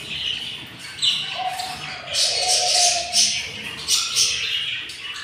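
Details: Very hungry budgerigar chicks in a yellow budgies' nest, day 7 after four eggs hatched. Scratchy, buzzing high squeals repeat rapidly in uneven bursts over a soft humming tone.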